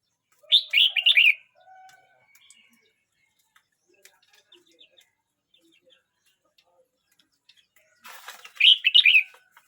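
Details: Red-whiskered bulbul aged 12 months 29 days singing: a quick bright phrase of three or four warbled, bouncing notes, then a long pause before a matching phrase returns near the end, with faint ticks and clicks between.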